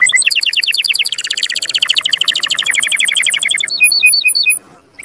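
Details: Canary singing to stimulate males and excite females toward mating: loud, rapid trills shifting between pitch levels, running almost continuously, then a few spaced high notes before trailing off near the end.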